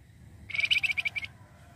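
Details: Flamboyan bird singing, meant as a lure for other birds: a brief, quick sequence of eight or so bright chirping notes that fade slightly toward the end.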